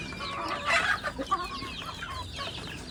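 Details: Chickens at feeding time produce a dense, overlapping chatter of high squeaky notes and short clucks from many birds, with a louder burst of calls near the first second.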